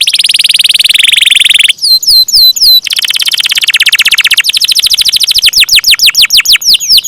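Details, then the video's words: Canary opening with a sustained, buzzy rattling trill, then switching to a fast roll of repeated short notes and ending with looping, falling whistled phrases. "KENARI KOLABORASI GACOR NGEROLL PANJANG"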